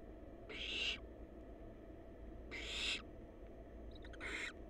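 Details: Wild barn owl chicks in a monitored nest box, recorded by a live cam: three harsh, broadband hissing rasps about two seconds apart, the first two fairly faint over a low background hum.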